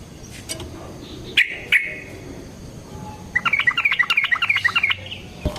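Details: Yellow-vented bulbul in a long fighting song, played as a lure: two sharp isolated notes, then a lively, rapid rolling burst of chirping notes.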